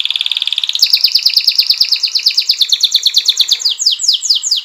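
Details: Canary song used as a lure to prompt other canaries to roll and sing: a fast, loud trilled song of rapid repeated notes high in pitch, opening with a steady buzzy roll, then shifting through quick pulsed phrases and ending in sweeping downslurred notes.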